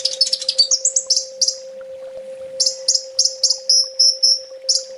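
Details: Kolibri ninja (olive-backed sunbird) 'full tembak' master song for training: a dense rapid burst of shrill high notes, a brief gap, then regular piercing chips and short whistled notes, with a continuous low hum.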